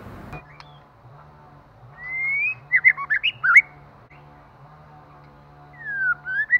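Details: White-rumped shama, a female stimulating the male: a rising whistled phrase, then a burst of quick looping notes, a later slurred whistle, over a steady low hum.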